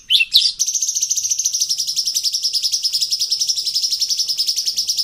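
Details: High, even, rapidly pulsed trill of a sooty-headed bulbul, locally cucak cungkok, held steadily for over four seconds after a couple of brief opening notes, from a varied ngeplong song recording.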